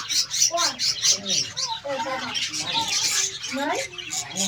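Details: Australian parrots in a colony chattering: rapid, bouncing short notes and high chirps overlapping from multiple birds in an unbroken, lively stream.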